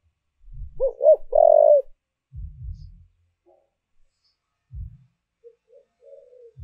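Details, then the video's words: Decoy spotted dove calling to attract wild doves, giving a loud phrase of two short rolling coos and a longer, strong, hoarse coo, followed by deep low thumping sounds and faint quieter coos. "Cu Gáy Mồi Thúc/ Gáy Gọi Kích Bổi"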